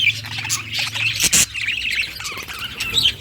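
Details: Budgerigar chirping happily, bright twittering chirps and a loud burst of squawking, over a low steady hum.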